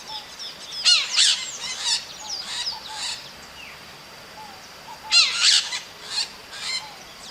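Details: Maritaca, a small parrot, calling in nature: two clusters of harsh, screechy, squabbling notes with falling whistled tails, separated by about four seconds, over a steady hiss of background noise.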